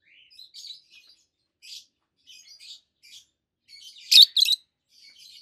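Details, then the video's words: Peach-faced lovebirds, a healthy adult pair, twittering softly in a run of quiet scratchy notes, broken by two loud shrill chirps near the end. "Lovebirds Sounds - Peach-faced Lovebird: Two Green, Red-Face and White-Face"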